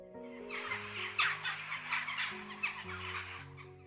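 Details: Western jackdaw in the UK giving its most common call: short, sharp 'tchack' notes, several in quick irregular succession, over soft sustained background music.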